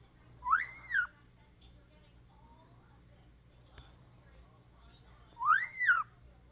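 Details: Pet European starling that talks, producing two arched whistles about five seconds apart, each rising then falling in pitch, with a faint click between them and quiet room noise.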